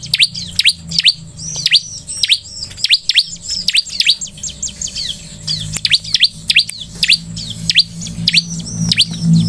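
Bar-winged Prinia giving rapid, high, sharply down-slurred chirps, several per second, in a busy unbroken series, with low background hum.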